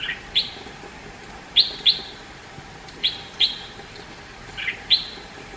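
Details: Indian red-whiskered bulbul: repeated high, sharp chirps, often doubled, with occasional lower, blurred notes, spaced irregularly about a second apart over light background hiss.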